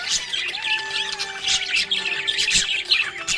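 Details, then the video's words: Happy budgerigar giving bright, harsh chirps and squawky twitters in rapid succession, loud bursts coming roughly every half second, with soft music continuing behind. "Happy budgie chirping sound"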